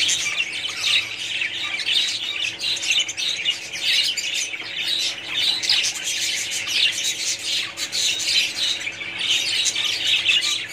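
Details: Over ten seconds of budgerigar colony noise: countless overlapping chirps, squawks and warbled twitters from many birds, pulsing in loudness but never stopping.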